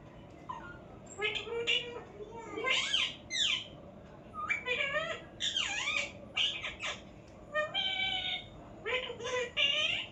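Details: Parrot chattering in a rapid, varied series of squawks, sweeping whistles and speech-like syllables, with short bursts every half second to second and brief pauses, over a faint background hum.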